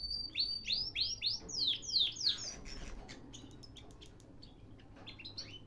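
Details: Canary in Baghdad, Iraq, singing a string of loud downward-sweeping whistles, then softer scattered chirps and a few rising notes near the end.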